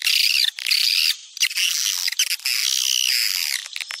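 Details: Swiftlet calling sound, popular in Sumatra for attracting swiftlets: rasping, buzzy high chatter in long stretches with a few short breaks and scattered clicks.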